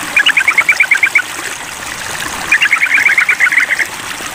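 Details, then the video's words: Sooty-headed bulbul calling a rival: two bursts of about ten quick, sharp chattering notes each, separated by a short pause, over a steady hiss in the background. "Trucukan Memanggil Lawan"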